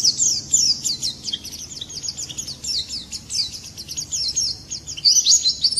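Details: Swinhoe's white-eye singing in the morning, a rapid, high, tinkling jumble of thin twittering notes, running almost continuously with brief pauses.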